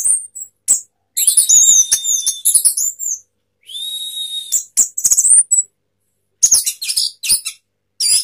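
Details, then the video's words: Orange-headed thrush in intense sapu jagat song, tail spread. Bursts of dense high twittering alternate with silent gaps, including a drawn-out buzzy whistle and later rapid chattering runs. "anis merah sapu jagat, buka ekor"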